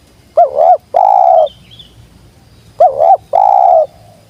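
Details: Spotted dove, called tekukur locally, calling as a lure for wild birds: two phrases about two seconds apart, each a quick wavering coo followed by a long even coo, loud and clean.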